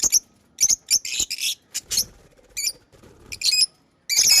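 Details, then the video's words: Pet lovebirds chirping: sharp, high, scratchy chirps and squeaky notes in irregular bursts, some brief, some longer harsh chatters, with short silent gaps between them. "Beautiful Pets Love birds chirping & Sound"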